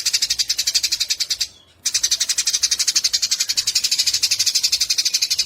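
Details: Long rapid chatter ('nyecret panjang') of a Eurasian tree sparrow from Yogyakarta, 29 October 2022, made for training caged songbirds. Dense, high, scratchy pulses run about ten per second, broken by one brief silent gap, then continue steadily.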